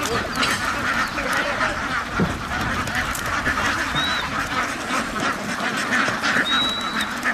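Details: A flock of ducks on a farm keeps up a dense, unbroken quacking din. Two thin high whistles sound near the middle and toward the end.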